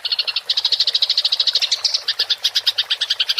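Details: House sparrow chattering aggressively in the ngerol style, used to train songbirds: continuous quick high chips, briefly rising in pitch midway, then carrying on in a slightly looser rhythm, over a faint low hum.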